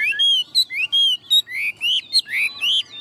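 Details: Caged tame Chinese hwamei singing loud, rich whistled phrases of rising slurs and upward-swooping notes, varied and rapid, with clean quiet gaps between them.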